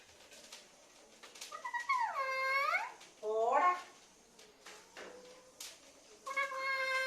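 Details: A pet parrot speaks in bursts of bright harmonic syllables: arching word-like phrases, a quick clipped utterance, then a steady tonal phrase after a pause. Soft clicks come in between, and the room is quiet.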